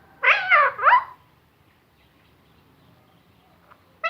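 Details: Parrot talking, producing a pair of quick voiced, speech-like syllables with rich harmonics, then quiet, ending with a faint short note.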